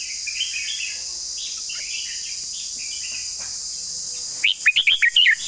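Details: Red-whiskered bulbul giving a long song: after four seconds of faint distant chirps, a loud rapid phrase of about eight clear whistled, warbling notes swoops up and down. A steady high insect drone continues throughout.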